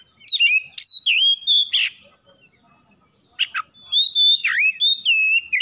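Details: Oriental magpie-robin giving a provoking lure song: clear whistled notes gliding up and down, a brief harsh burst, a quiet pause, then more ringing slurred whistles.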